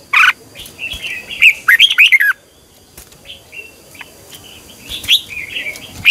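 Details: Red-whiskered bulbul singing during morning training, one sharp chirp then a tumbling run of quick warbled notes, followed by softer slurred calls over a noisy background.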